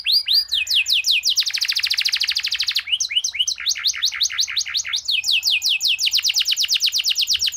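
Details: Canary song with long rolling trills and a varied, unusual pattern, for training other birds: swooping whistled notes alternate with fast rattling trills, loud and continuous throughout.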